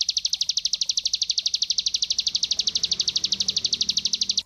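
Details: Master song of a cinereous tit for songbird training: a steady high trill of sharp repeated notes, about ten each second for four seconds, over faint low background noise.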